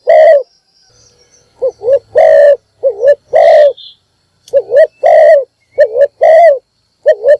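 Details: Spotted dove decoy in morning voice, calling to attract others: a long coo, a pause, then a regular sequence of wavering double notes alternating with fuller sustained coos, with faint chirps in the background.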